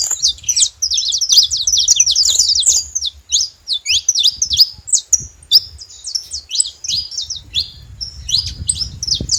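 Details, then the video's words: Wild saffron finches deliver a long, energetic song of rapid high chirps and zigzag notes, dense at first then broken into shorter phrases, over a low background rumble. "canarinhos da terra livre na natureza"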